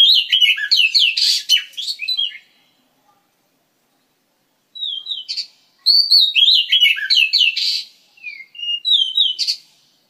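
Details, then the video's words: Oriental magpie-robin, one of a breeding pair in an aviary, gives rich, varied, high-pitched, sweet whistles and chirps in quick bursts, with pauses between phrases. "Oriental Magpie Robin"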